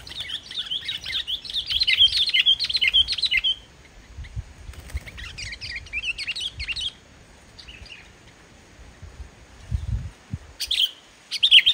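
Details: Sooty-headed bulbul singing vigorously, without mimicked phrases, as a lure for bulbuls slow to sing: rapid, dense bursts of high chirping twitters in long runs, broken by pauses and low background noise.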